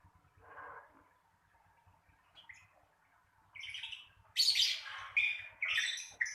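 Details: Lovebird giving the ngekek trill to encourage other lovebirds to sing: quiet start with soft notes, then loud, harsh, high squawking bursts and buzzy trills in the second half.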